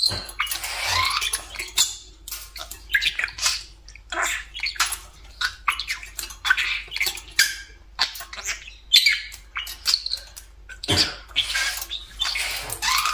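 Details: Talking pet budgerigar on top of its beloved cage, keeping up a long, broken stream of chattering bursts: scratchy warbles, clicks and squawky notes separated by short pauses, indoors with no other clear sounds.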